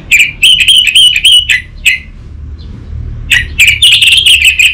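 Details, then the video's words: Orange-headed thrush delivering a lure and tutor song for untrained birds: a rapid, rhythmic run of strong whistled notes, a short pause, then another quick, insistent run. "Pancingan dan Masteran Burung ANIS MERAH Bahan, SuPaya Nyaut Ngeplong dan Singset"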